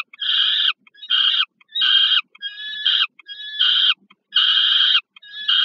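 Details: Food handover between peregrine falcons at Żerań, Warsaw, Poland, 15 August 2022: a rapid string of about seven rasping, slightly wavering screeches, some with a thinner whining edge, separated by short pauses.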